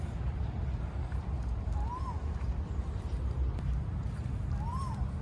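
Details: Asian koel giving two faint, rising-then-falling whistled 'oh-woo' notes about three seconds apart in Queen Sirikit Park, Bangkok, Thailand, over steady low rumble and footsteps.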